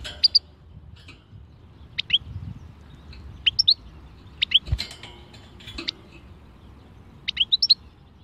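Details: Goldfinch song of the khalwi style, heard as clusters of sharp, high twittering notes in short bursts, each burst two to four notes, spaced a second or more apart over a faint low rumble.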